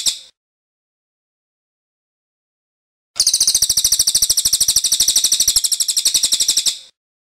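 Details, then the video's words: Cililin giving a high, rapid rolling trill of sharp notes lasting nearly four seconds after a brief opening chirp and a pause. "Suara Burung Cililin Gacor Ngeroll Panjang"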